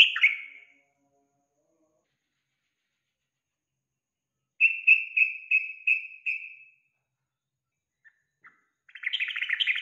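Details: Song of a yellow-vented bulbul intended to stimulate a kept bird: a single slurred note, a long silence, then six clear, evenly spaced chirping whistles, and finally a dense, bubbling chatter.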